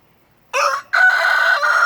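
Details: Crowing rooster beside hens dust-bathing: a short first syllable followed after a pause by a drawn-out, rasping, evenly pitched note with rich harmonics, loud and clear against a silent background.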